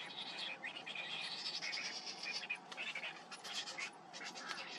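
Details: Cinnamon bittern nestling begging as its parent feeds it: long, grating, wheezy rasps blending into rapid scratchy bursts, dense and continuous in the first half, choppier later.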